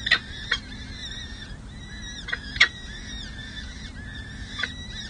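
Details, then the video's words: At a city hall nest ledge in San Jose, four peregrine falcon chicks aged six to seven days call as a parent feeds them: high arched notes in clusters, punctuated by several loud knocking taps, over faint hum. "San Jose CH Falcons: Hartley feeds 4 chicks 🐥🐥🐥🐥 Monty serenades 🎶"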